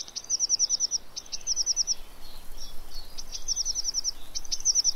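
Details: Eurasian blue tit at a fat ball feeder gives quick bursts of about eight thin, very high notes, repeated every second or so over low background noise. Filmed 3 March 2017 at Pellerey, France.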